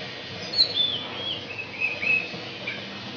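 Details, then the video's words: Captive Asian pied starling (Sturnus contra jalla) singing thin, high whistles and brief warbled phrases copied from magpie-robin and canary, spaced irregularly over a steady background hiss. "Jalak Suren Isian Kacer & Kenari"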